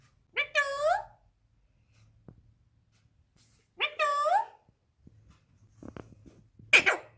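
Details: Pet talking parrot indoors in a small room, two harmonic, speech-like utterances with sliding, stacked tones, each under a second and about three seconds apart, followed by faint clicks and a short squawk at the end.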